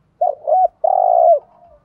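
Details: A spotted dove kept as a decoy to attract wild doves coos once: two quick wobbling notes, then a sustained smooth low hum trailing off softly.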